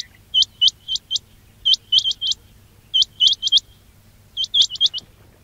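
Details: Quail calling sound for luring quails in trapping: four clusters of bright, upswept chip notes, three or four per cluster, spaced about a second apart, over a soft low hum.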